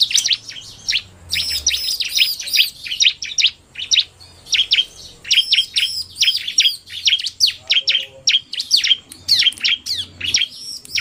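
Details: Combined song of a narung-style male and a rapid female bar-winged prinia, long stretches of loud, fast, high chirps with ringing curved notes, nearly unbroken.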